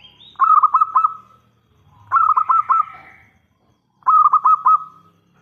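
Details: Zebra dove, local type, singing actively to lure other doves to respond. Three phrases of four or five quick, throaty coo notes trailing into a humming tail, repeated about every two seconds.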